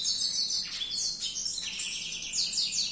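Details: Canary singing energetically, its song used as a model for training other birds: continuous high twittering trills and rapid rolling phrases, shifting pitch every half second, with a quiet background.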